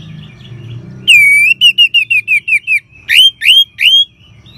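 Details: Orange-headed thrush song played to encourage caged birds: a long run of about ten quick, repeated down-slurred whistles, followed by three louder rising notes, over a low hum.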